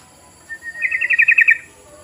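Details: Lure call of a sooty-headed bulbul, meant to get other bulbuls calling: a brief steady whistle runs into a rapid bubbling trill of roughly ten chirpy notes lasting under a second.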